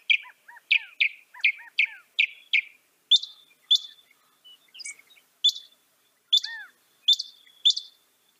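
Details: Song of a northern mockingbird: a fast run of repeated high chirps with lower paired notes, then a slower series of sharp downslurred notes sung over and over, with a brief odd squeak between.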